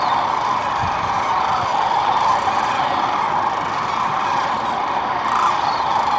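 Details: A large flock of sandhill cranes, resting and feeding on the Platte River in central Nebraska during spring northward migration, calling together, their rolling bugles merging into a steady, unbroken mid-pitched roar.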